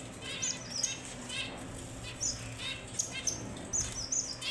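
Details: Red avadavat (strawberry finch) giving short, high, thin whistled notes and quick chirpy twitters. The phrases come in small bursts with brief pauses between them, over a faint steady low hum.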